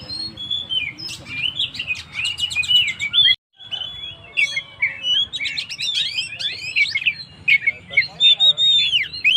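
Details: Oriental magpie-robin singing to rouse stressed birds: varied whistles mixed with clicking, rattling bursts, a sudden brief silence after three seconds, then renewed sharp chirps and looping whistled notes.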